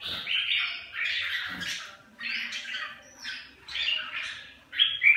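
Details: Red-whiskered bulbuls bullying one another, with loud rough squawks in separate bursts about every second, separated by short quiet gaps, and a final louder squeaky outburst.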